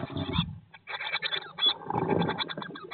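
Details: Eurasian blue tit inside a nest box on day 19 after hatching, first egg hatched 19 May 2022; dense bursts of short, scratchy chattering calls, briefly pausing then resuming, with muffled low rustling and bumping in the box.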